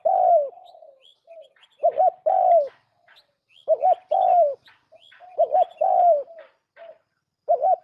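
A turtle dove gives low, throaty coos, some doubled into a rolling two-part note, in bursts every second or so. Faint higher chirps of small birds sound between them.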